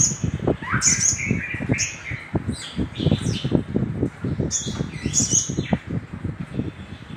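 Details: Little spiderhunter recording meant as a lure for other birds: short high piercing chips and sliding whistled notes repeated irregularly, with constant low thudding noise underneath.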